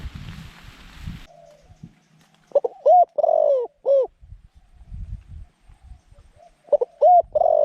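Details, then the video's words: Zebra dove used as a decoy bird to lure wild doves into a trap: a loud cooing phrase of short arched notes around two to four seconds, repeated near seven seconds, with low rustling and thumps between phrases. "จ้าว M16 จัดเชลย เสียงกลาง คูเก่งคูนานๆคับ"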